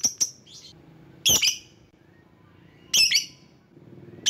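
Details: Lovebird used to call rivals gives a few loud, high, harsh chirping bursts, some doubled, separated by pauses of over a second, over a quiet background murmur.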